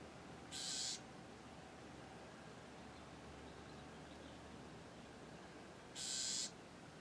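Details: Bewick's wren in California, a nesting adult near its nest in a clothespin bag, giving two harsh, buzzy bursts about five seconds apart, each roughly half a second long, over a faint steady background hum.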